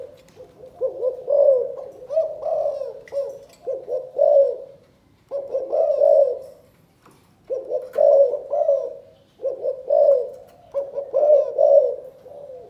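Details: A spotted dove from Can Tho, Vietnam, repeats its 'chụp chụp ô' calling coo: about six low, burry hooting phrases, each a quick run of rounded notes, separated by brief gaps.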